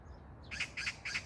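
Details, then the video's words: Three quick, harsh rasping notes from a magpie in Jangdumot neighbourhood park, Incheon, South Korea, 19 June 2022, following a short near-silent moment. "magpie sound(까치소리)"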